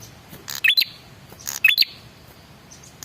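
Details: Male red-headed prinia calling to make other birds answer: two raspy bursts, each followed by a high rising whistle-like chirp, a second apart.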